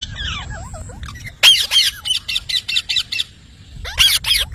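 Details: Parrot calling, a run of harsh broadband squawks repeated about every quarter second in the middle, with a fainter falling whistle early on and another burst of squawks at the end.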